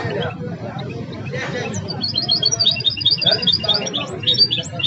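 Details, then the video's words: A legendary goldfinch hybrid that has mastered the songs of other birds (named in Arabic as Belghith, Jnan Lahsira and Si Lfham) sings a rapid, high twittering run of bright chirps and trills, over a low background rumble and faint voices. "الهجين الأسطوري الذي أثقن تغريد طائر بلغيث وجنان الحصيرة والسي الفحم"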